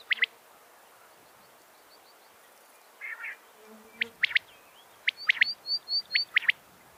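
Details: Chidinga common quail calling sounds used as a lure for trapping quail: sharp, explosive clicking notes in quick pairs and triplets at irregular intervals, with faint thin whistles and a low buzzy phrase between them.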